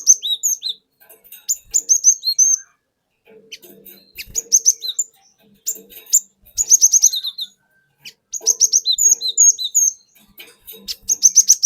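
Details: Cinereous tit caught from the forest, singing a long rolling lure song with wucit wuit phrases: almost continuous high, bright chirping and whistled notes in quick runs, with brief gaps between them.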